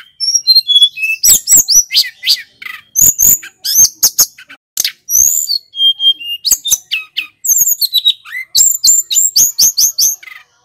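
Snowy-browed flycatcher giving a fast, high, varied song of thin whistles and twittered phrases, broken by sharp dry ticks, in nearly continuous bursts.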